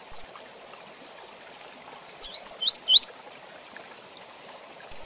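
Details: Coleiro (double-collared seedeater) performing the 'Tui Tui Zel Zel' style meant to train young birds: brief high chirps, a buzzy burst, then two loud rising whistled notes, with another short chirp at the end. A soft steady hum sits underneath.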